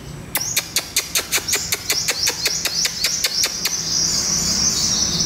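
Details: Captive young wild-caught olive-backed sunbird, about two months old, caught in a pomelo orchard and being tamed in the morning: a fast series of sharp, dry chips, roughly five per second, over a thin, high, sustained twittering trill.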